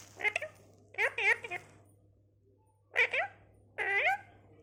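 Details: A talking parrot utters speech-like harmonic phrases in three separated bursts, each made of quick rising and falling syllables, with a low steady hum underneath.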